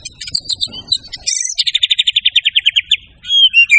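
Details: Loud, energetic murai batu (white-rumped shama) song for training birds: high chattering notes, then a fast series of about fifteen repeated trilled notes, closing with clear slurred whistles, over light low background noise.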